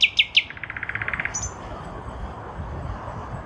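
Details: Spring 2023, nightingale in a lilac bush: three sharp downward strokes followed by a fast buzzy trill of about a dozen notes, then a faint high whistle and quiet.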